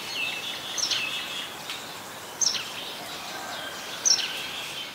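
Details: White-vented Myna (Acridotheres grandis) in Ubon Ratchathani, Thailand, on 18 January 2021 gives three short, sharp, high calls, each dropping in pitch, about every one and a half seconds over a steady hiss.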